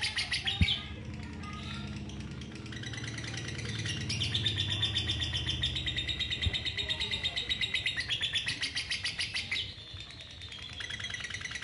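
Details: Female lovebird in long 'ngekek' trilling, noted for drawing out a single trill for two minutes; a continuous buzzy, chattering rattle of rapid pulses about four per second, over a steady low rumble.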